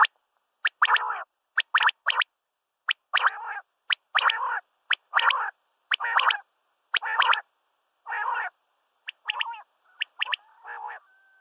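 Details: Common quail calling at sunrise, a steady series of sharp, whip-like notes each trailed by a rough buzzy tail, roughly once a second, ending with softer grating calls.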